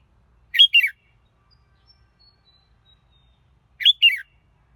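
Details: A red-whiskered bulbul repeats a short two-note warbled phrase twice, roughly three seconds apart, with faint thin high whistles in the gap.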